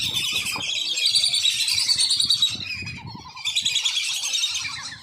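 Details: Farm-kept wandering whistling ducks calling, a sound used to lure wild ducks; a continuous chorus of shrill whistled squeaks from many birds, fading briefly midway before another burst.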